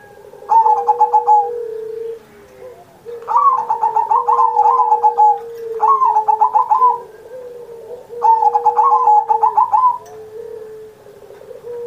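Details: Perkutut (zebra dove) singing vigorously for Indonesia's 79th Independence Day, recorded as a master to draw out song in pet doves; four evenly spaced phrases of rapid, rolling, pulsed coos about every 2.5 seconds, low steady tones between.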